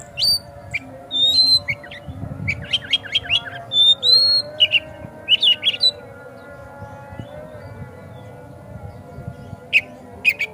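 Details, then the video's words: Song of a white-rumped shama meant to provoke a kacer into singing and opening its tail: busy burst of chips, whistles and harsher squawky notes in the first half, then a long quiet gap and a few final chips. "Pancingan Kacer Agar Cepat Gacor Ngotot Buka Ekor"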